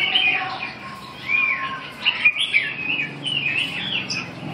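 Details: Red-whiskered bulbul song: clear whistled notes that slur up and down, delivered in short bursts separated by brief pauses, with a steady low hiss underneath.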